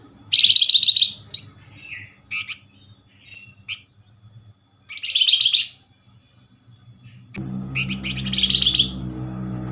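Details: Flamboyan calls used as a lure to provoke replies from other Flamboyan birds: dense, buzzy, high chattering bursts about a second long, three times, with short thin notes between and a low hum in the background.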